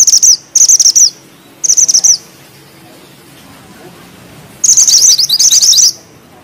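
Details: Bushchat from a mountain population in full, vigorous song, with tight rolling phrases and sharp shot notes: high, rapid trilled bursts about half a second to a second long, separated by short pauses, with faint low background hum.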